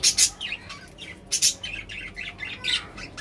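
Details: Budgerigar chatter: loud, harsh, bright squawk-like bursts about every second, linked by fast twittering, wavering chirps in a busy, continuous warble.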